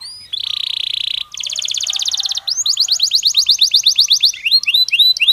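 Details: Belgian canary singing naturally: a steady buzzy held trill, then a faster rattling roll, then a string of crisp upswept notes repeated about twice per second.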